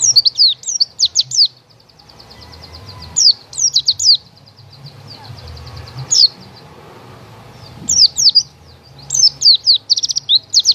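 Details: White-eye giving bursts of very high, thin chirps and quick twittering trills, clusters repeated every couple of seconds, with soft low hum between phrases.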